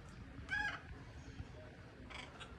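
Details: Free-living blue-and-yellow macaw giving two short, harsh, raspy squawks about one and a half seconds apart over a low background rumble.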